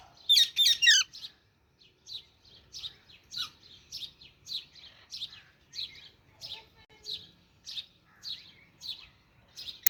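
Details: Baby Alexandrine parakeet opening with a burst of rapid harsh notes, then settling into steady high chirps repeated about three times a second.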